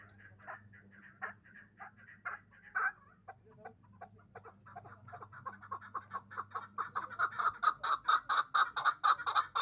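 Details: Two-year-old hybrid fighting and hunting partridge in Dushanbe: scattered rough notes that build into a fast, rhythmic series of chuck calls, growing steadily louder and more regular toward the end.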